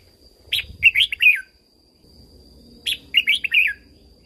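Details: Red-whiskered bulbul song from Thailand, played to rouse and train caged birds: two bright, quick warbled phrases of four to five notes each, slurring downward at the end, separated by a pause of over a second.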